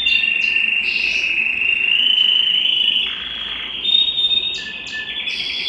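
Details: Aroused canary singing to a female at home: smooth sustained rolling trill around mid-high pitch, broken by short rising whistled bursts and brief higher notes, with tone shifts every second or so.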